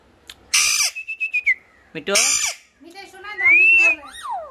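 An Alexandrine parakeet gives harsh squawks and a clear rising whistle, then a voiced, speech-like syllable mimicking "ma" amid further whistled notes.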